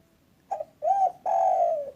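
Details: Spotted dove, a local bird kept to lure others, uttering a short coo, then an arched coo, then a long mellow coo that slides down at the end.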